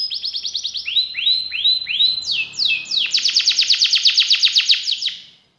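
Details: Canary singing vigorously, in a special cengkok with rich isian fills: a fast run of short notes, four rising hooked whistles, two downward slides, then a long, pulsing, buzzy trill that stops abruptly.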